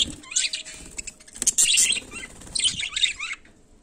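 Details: Budgerigar going about its daily life, giving bursts of high, scratchy chirps and warbles in two clusters with a short quiet gap between them, plus faint rustling below.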